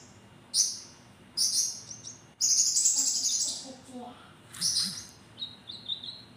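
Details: Javan kingfisher calling actively with sharp notes: short high bursts and one longer harsh burst, then softer thin whistles, with faint low murmuring underneath.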